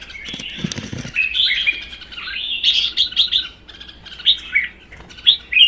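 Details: Two caged red-whiskered bulbuls singing against each other, one a wild-caught adult held one season: a low thump early on, then a string of short, lively warbled and whistled phrases.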